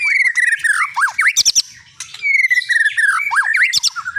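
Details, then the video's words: Long-tailed Medan white-rumped shama, a prize-winning caged contest bird, sings varied phrases: descending whistled slurs, sharp V-shaped notes and fast high trills, the phrase repeated after a brief pause. "burung sultan!! muntah materi.."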